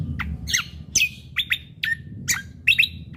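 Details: Cucak kombo, the lesser green leafbird, in lively 'gacor' song with 'isian tembakan' shooting-style fills for training other songbirds: a quick series of piercing downslurred chirps and short rising whistles, spaced roughly every third of a second, over faint low hum.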